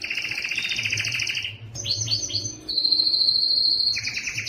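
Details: Yellow canary: a doubled rapid trill, a short break, three downward-swooping notes, then a clear sustained high whistle and renewed trilling, over a soft low hum.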